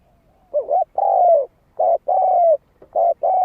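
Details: Spotted dove cooing to stir decoy birds: three close phrases of a short wavering note followed by a long, steady, mellow coo, loud and clear against a quiet background.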